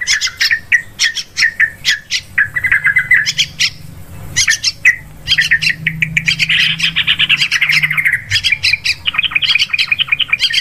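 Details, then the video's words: Sooty-headed bulbul lure sound used for bird hunting in forest, rice fields and plantations: rapid sharp chirps and squawky notes in dense bursts, with a brief quieter break and a low background hum. "Suara pikat burung trucukan langsung ramee.."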